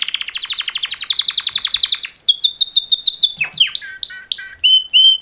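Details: Mating song from two male canaries, opening with a rapid, even trill of about twenty notes. It moves into rising whistled slurs and ends on bright descending chirps. Nothing else is audible.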